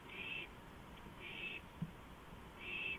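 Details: On a porch at 2:05 AM on April 5, 2015, an owl gives three coarse, hissing bursts about a second apart. A single soft knock and a low background hum are also heard.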